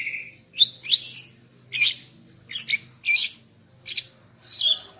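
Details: Female greater green leafbird in morning song aimed at arousing a male: a short steady whistle, then bursts of rich, buzzy chattering notes separated by brief gaps.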